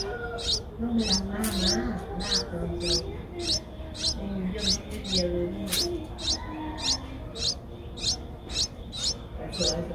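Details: Streak-eared Bulbul chicks aged 8 days, a common resident in Ubon Ratchathani, Thailand, 10 April 2023: steady series of some seventeen piercing high chirps, about two each second, with low murmuring background sound.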